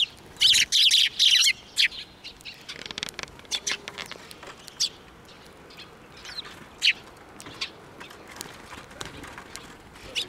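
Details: Sparrows coming in for food at a Tenmangu shrine on 21 April 2024 burst into a dense flurry of quick chirps at first, then scattered single high notes continue against a faint background.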